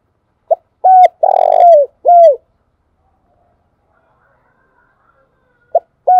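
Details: Spotted dove kept as a lure bird, cooing. A loud phrase of hooted notes with a grating, trembling middle note and a downward-curving last coo. Silence follows, then the start of the next phrase.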